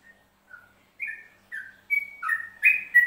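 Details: Yellow-vented bulbul of Central Java in the ropelan song style. Short, separate clear whistles start softly, then grow louder, quicken and rise, ending in fuller warbled notes.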